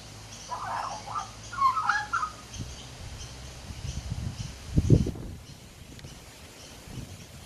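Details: Male magpie chatting to himself while sitting on a back deck: a few warbled notes in the first two seconds, followed by low thumping and rustling sounds.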